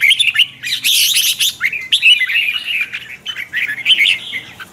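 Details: Red-whiskered bulbul in morning song practice, kept as a lure bird for training others: rich, rolling whistles mixed with a harsh, noisy burst early on, then continued warbling phrases with slight twists.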